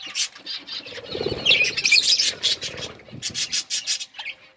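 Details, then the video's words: Budgerigars chirping as they eat: a busy high warble in the middle, then a run of quick, evenly spaced sharp chirps near the end, over faint low rustling. "Parakeet eating food budgies chirping sounds"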